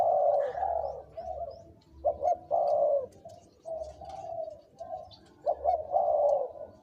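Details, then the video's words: Caged decoy spotted dove aged two to three years, one of birds with big, middle and small voice styles, giving deep rolling coos in short phrases with pauses, a faint background hum throughout. "นกต่อ เสียงใหญ่(เจ็กหัวโต)และเสียงกลางกับเสียงเล็ก จ้วดๆ ครับ"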